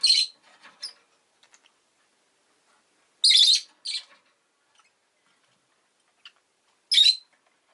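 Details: Pet rosy-faced lovebird chirping with loud, rasping, high-pitched chirps, single or doubled, spaced irregularly a few seconds apart, with faint ticking sounds in the quiet stretches.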